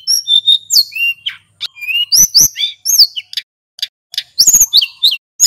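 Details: Energetic song of a male hill blue flycatcher, used as a lure: level and falling whistles, quick upward-flicked notes, and bursts of sharp clicking, with brief pauses between phrases.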